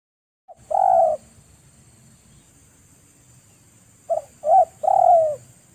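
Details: A spotted dove calling in the wild: a low, soft coo, then after a pause a three-part phrase ending in a longer, rolling coo, with a faint steady high hiss.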